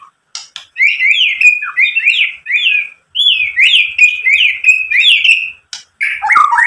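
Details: White-rumped shama song played to get other shamas singing: a fast series of repeated sharp, down-slurred whistled notes with clicks, ending in lower warbling notes.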